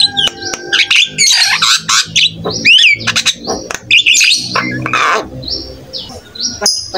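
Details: Javan myna pouring out a rich, varied song to draw replies from other starlings: harsh rattling chatter, a buzzy downslurred note, clear whistles and short high flat tones near the end.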